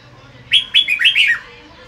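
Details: Red-whiskered bulbul sunbathing in the afternoon, delivering a "bọng" song phrase: a quick warbled run of four or five bright, slurred whistles rising and falling, lasting about a second, over quiet background.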